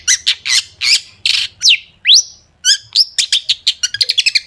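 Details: Long-tailed shrike song meant to lure shrikes into song: a run of harsh, rasping notes, then two sweeping whistles, followed by a quickening series of sharp chips.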